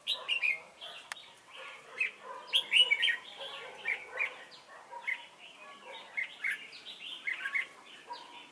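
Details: Red-whiskered bulbul used as a decoy for trapping wild birds at Chùa Hương, Vietnam, 28 November 2017; busy bright chirping and short warbled phrases, several overlapping notes, with a sharp click near the start.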